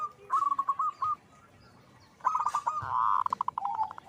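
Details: Zebra dove singing actively, giving strings of rapid cooing notes, one ending in a blurred, louder rolling section and a trailing drawn-out note.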